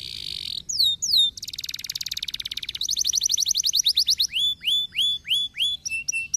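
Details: Canary singing to stimulate lazy canaries: a high buzzy note, two sharp downslurred whistles, then a fast rattling trill that speeds up. Bright series of repeated swooping whistles follow, each tour a different syllable.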